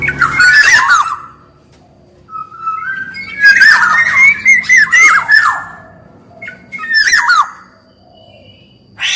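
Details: Black-naped oriole song, male and female voices, used as a lure and training recording: rich fluty whistled phrases with harsh squawky notes, in bursts of about a second separated by pauses; indoor-sounding room.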